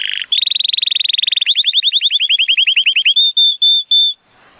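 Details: A male Timbrado Español canary, born 2018 and rated 83 points, sings on a sunny day: a fast, even trill slowing into rolling, bubbling notes, ending on three long, clear whistles.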